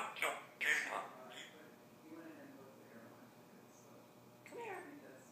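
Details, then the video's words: Pet African grey parrot indoors, a Kansas University fan, saying "Rock Chalk Jayhawk": two short, sharp, speech-like bursts at the start, a long quiet gap, then one more rough syllable near the end, in a small room. "My Parrot says, "Rock Chalk Jayhawk KU""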